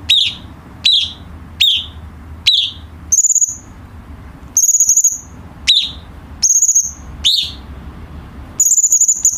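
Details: Cucak cungkok bulbul used for tutoring captive birds: a run of downslurred chirps about one per second, then sustained high whistles and more sweeping notes, in a quiet setting.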